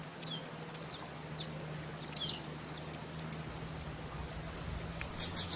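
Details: Female blue-black grassquit call meant to get males singing: a run of brief piercing chips and faint falling slurs, fairly evenly spaced, ending in a short cluster of notes; low steady hum underneath.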